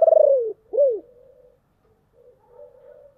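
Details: Deep-voiced decoy spotted dove calling to provoke wild doves: a loud, throbbing coo sliding downward, a short arched coo, then softer low trailing coos over a quiet background.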